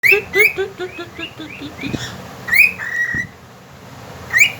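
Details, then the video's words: Pet cockatiel whistling and singing: a run of rising whistled notes repeated rapidly, then longer slurred whistles, over a steady background hum. "Super Cocktail ! Talking and singing companion 2020 Talking birds."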